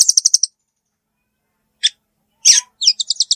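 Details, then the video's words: Velvet-fronted nuthatch giving quick runs of five or six very high, sharp chip notes, a couple of isolated harsher notes, then another fast chipping series at the end. The background is quiet. "suara burung rambatan paruh merah"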